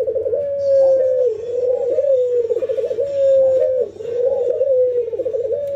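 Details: Ringneck doves, an albino white bird matched against a local one during routine training, nodding and laughing; a steady run of mid-pitched rolling coos with stuttered, wavering breaks, almost unbroken, with faint clicks in the background.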